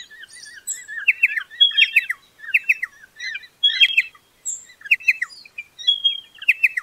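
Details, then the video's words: Pardalote uttering repeated bright phrases of a high piping whistle and quick falling chirps, roughly once a second, over soft wavering background twitters. "BEST PARDALOTE SOUND COMPILATION"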